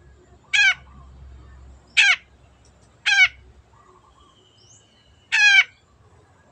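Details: Long-tailed shrike singing vigorously, a clear-voiced recording meant as training material for other birds: loud, harsh, buzzy notes with stacked overtones, repeated roughly every one to two seconds, with soft twittering between them.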